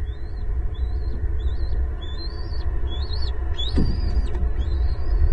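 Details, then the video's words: Two bald eaglets in a nest in Southwest Florida on April 18, 2022, squabbling and guarding prey from each other. High, thin whistled calls rise and then level off, repeated about seven times over a steady low rumble, with one brief thump. "Big game of prey protection between E19 & E20"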